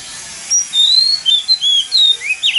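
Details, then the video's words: Mountain-forest style lure song of an Oriental magpie-robin, meant to spur other magpie-robins to sing: a string of thin, clear whistled notes with quick upward slurs, over steady background hiss. "Choè than HÓT GIỌNG NÚI RỪNG || Tiếng choè than MỒI HÓT CHUẨN || Kích choè than MỘC HÓT THEO"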